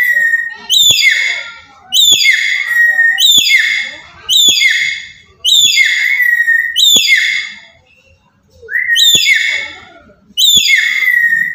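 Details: Black-capped lory from Papua giving loud calls used to provoke other birds: harsh, harmonic-rich screeches, each a sharp onset sliding down into a drawn-out tone, about eight in sequence with short pauses, one gap near the middle.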